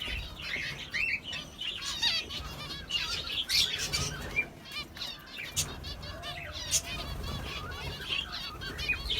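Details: Sparrows chirping outdoors: a dense chorus of short, bright, overlapping chirps and twitters from several birds, coming in bursts with brief lulls throughout, over a soft low rumble.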